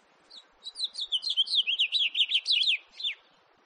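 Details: House finch, recorded in 2018, giving a fast warbled phrase of rapid rising and falling high notes about 2.5 seconds long, ending with a short slurred note, in a quiet setting.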